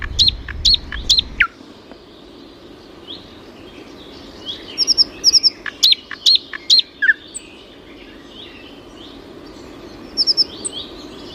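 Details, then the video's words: Scattered bird chirps: a trio of high ringing notes at the start, then loose clusters of short sharp twitters and thin trills through a quiet middle, with soft background rustle. "пение птиц"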